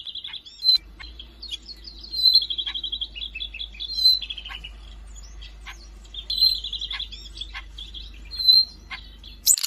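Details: Siberian rubythroat singing, recorded in Jakarta on 5 March 2025: lively, varied high song of quick chips, whistled slurs and short rattling trills, with clear emphatic whistles recurring every two seconds or so, over a faint low hum.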